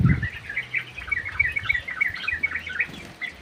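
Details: A sooty-headed bulbul sings actively in an aviary, giving a steady stream of bright, bubbly chirps. A brief low thump opens the recording, and a faint hum runs throughout.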